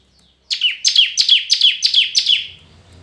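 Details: Red-whiskered bulbul in competitive singing: a steady series of seven loud, descending whistled notes, about three per second, with a faint low hum after.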